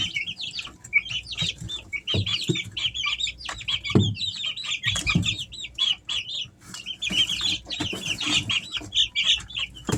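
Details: Easter Egger chicks aged three weeks, a domestic brood, give a near-continuous stream of shrill, slightly trilled peeps, many birds overlapping, with occasional dull thuds and scratching below.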